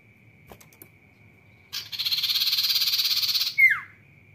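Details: A Sirtu sings after a few faint clicks: a harsh buzzing trill of rapid pulses lasting nearly two seconds, closed by a bright whistled note sliding sharply downward, with a steady high hum behind.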